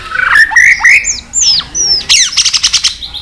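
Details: White-rumped shama in fighting song, many-voiced, with tail flicking: swooping slurred whistles that rise and fall, then a quick sequence of bright, chattering repeated notes.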